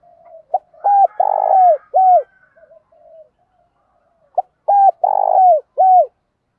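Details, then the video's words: Spotted dove cooing in the morning, used to stimulate other doves and train them: a low, hollow phrase of short clipped coos with one longer rolling coo, given twice with a pause between, clean and close. "Tiếng chim cu gáy dùng kích bổi và tập mồi hiệu quả"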